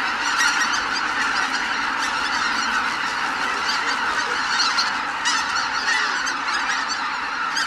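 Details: Greater white-fronted geese leaving their roost, a dense, continuous chorus of overlapping honking and yelping calls from a large flock, steady throughout with no pauses.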